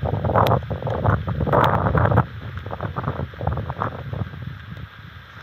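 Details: Heavy wind buffets the microphone in strong gusts that ease after about two seconds into a softer rumble, and no bird calls are heard.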